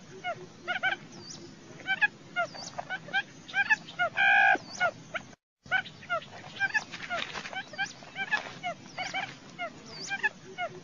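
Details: Quail calls for decoy trapping: busy, overlapping chirps and hooked notes throughout, interrupted once by a short loud harmonic honk and a brief silent cut, then the chattering resumes.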